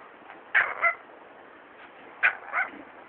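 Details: A pet rainbow lorikeet imitates its pug/maltese dog, barking harsh, raspy 'woof-woof' double barks at the dog during play, two pairs about a second and a half apart, over a faint background hiss.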